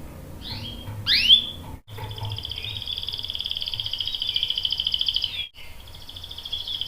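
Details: Canary song, ngerol style, with a young male answering: a few harsh sweeping notes, a brief gap, then a long, even, rapidly pulsing rolling trill, with another short break near the end.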